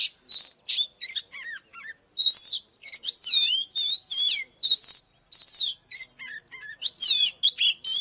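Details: Oriental magpie-robin in fighting song, a rapid run of loud whistled notes and sweeping chirps, varied and clear, phrases packed closely with brief gaps, some lower slurred notes mixed in.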